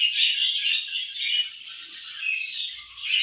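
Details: Pet budgies eating and playing make steady, loud, high-pitched warbling chatter, a continuous stream of squeaky chirps and buzzy trills with hardly a break.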